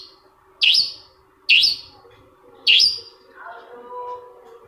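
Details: Cendet, or long-tailed shrike, with a lure song used to get a reluctant shrike to reply. Three harsh, scratchy notes arrive about a second apart, then a softer warbling phrase follows.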